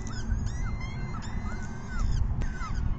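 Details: Peregrine falcon chicks begging at a 6 PM feeding on May 14, 2021; clear rising-then-falling whined calls come roughly every half second, layered over steady low-pitched background roar.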